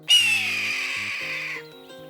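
A Red-tailed Hawk gives one hoarse, rasping scream that starts high and slides slowly downward for about a second and a half, over soft background music.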